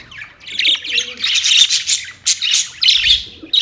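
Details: Colourful pet budgies chirping to each other: a continuous warbling chatter of high chirps and squeaks, rising and falling in bursts, with brief pauses.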